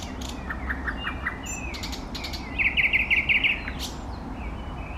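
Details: Singing eastern nightingale: soft repeated notes, a drawn whistle, then a rapid series of loud pulsed notes repeated about three per second, ending in a high whistle; low steady background noise.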